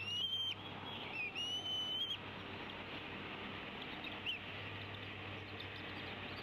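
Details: Nesting female bald eagle at Decorah, 29 April 2016, calling as the male arrives, possibly with prey: a few high whistled notes early on, then mostly steady low hum and hiss with one faint chirp.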